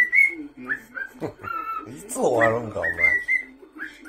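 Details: Pet cockatiel at home whistling over a televised anime, with short high whistled notes, a few falling slurs and a sustained tone near the end, mixed with loud Japanese voices from the program.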